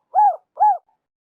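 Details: Two brief, soft, rounded coos from a spotted dove, half a second apart, in a recording made to lure birds for trapping. The background is quiet.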